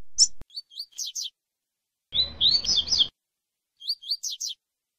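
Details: Double-collared seedeater female, with a male 'tui tui' style song played to warm her up; short high chirped notes in quick clusters, a dense burst of twittering mid-clip, then more sharp rising chirps.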